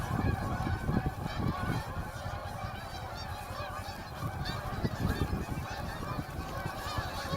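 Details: A few hundred geese flying off together during a snow storm at Heron Lake, filmed by a snow removal crew: loud, dense overlapping honking throughout, with a heavy low rumble underneath.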